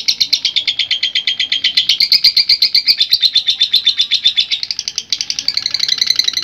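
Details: Lovebird in strong voice pouring out a long ngekek song used for training other lovebirds: rapid high-pitched chattering notes in a continuous stream, a brief dip near five seconds, then resuming with higher, buzzier notes.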